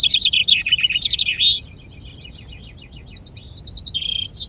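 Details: At a finch-singing contest in Ardooie, a common chaffinch delivers a loud, fast trill closing with a sharp flourish, then fainter rattling trills from other competing finches follow in the background.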